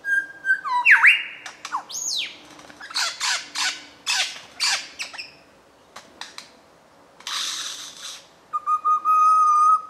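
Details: A mature male lyrebird under dark rainforest canopy in Dorrigo National Park runs through part of his mimicked repertoire: swooping whistles, harsh rasping bursts, sharp clicks and a steady pure whistle at the end.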